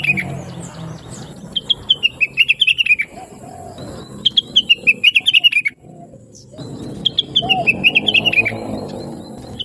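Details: Blue-winged leafbird, chattering and sweet-voiced, recorded to train other birds such as bulbuls: three bursts of fast descending chirp runs separated by pauses, with soft lower notes and background rumble.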